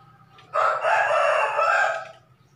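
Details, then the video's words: A rooster crows after a drooping-comb therapy that included three days of tape, recorded uncut to show its crowing. A single hoarse crow holds steady for about 1.5 seconds over a quiet background. "Vidio ini ful tanpa dipotong sambung biar tau kondisi kokok koker nya."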